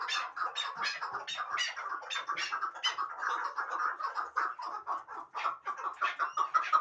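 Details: Hybrid partridge bred for fighting and hunting calls in a steady stream of short, harsh chuck notes, some brighter and sharper, with no competing sounds.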